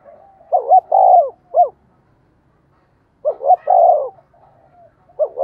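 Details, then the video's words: Spotted dove kept as a decoy, cooing to lure wild birds: two full phrases of quick paired notes and a long, rounded coo, plus the start of a third phrase. "Chim cu gáy mồi chai thúc và gáy gọi mới nhất/ chim cu gáy kích bổi"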